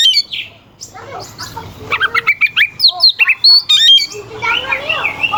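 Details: Oriental magpie-robin singing to provoke rival birds: scattered scratchy notes build into a fast series of sharp whistles and harsh squawks, ending in a wavering, warbled phrase.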